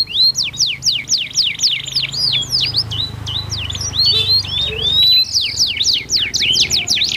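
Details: Two canaries in full song answering each other with different voice tones, meant to prompt other canaries to sing; rapid high whistled sweeps and trills repeated about four times a second, with a low hum underneath.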